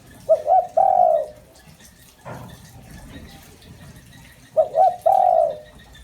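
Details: Decoy spotted dove giving its lure call to excite wild birds: two hooting phrases, each a quick double note then a long falling coo, with a brief knock between them.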